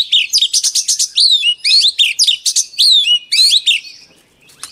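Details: White-rumped shama delivering training song: crisp, loud bursts of high whistles, sharply swooping notes and fast chips in phrases about half a second long, ending with a fading, quieter note.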